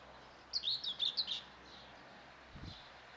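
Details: Young helmeted guineafowl giving a quick run of about six high, thin chirping peeps, wavering and slightly falling, lasting under a second, then a soft low thump against quiet background hiss.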